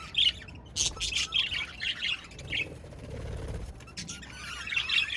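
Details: Budgies give soft, scratchy high chirps in short clusters at the start, a quieter pause with low background rumble, then resumed chattering near the close.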